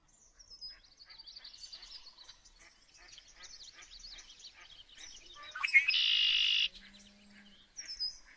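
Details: A lively mix of chirping birds, with rapid, repeated high twitters and trills running for several seconds. A loud harsh burst of noise interrupts before the chirping briefly resumes.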